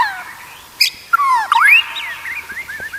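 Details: White-rumped shama song used as a training recording to make other shamas sing: loud clear whistles, a fast rising sweep and rolling slurred notes, followed by softer warbled phrases.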